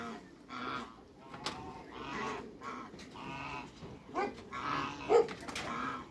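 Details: A pair of large African geese kept in a backyard among other waterbirds, calling with drawn-out, nasal, braying honks that rise and fall in uneven bursts.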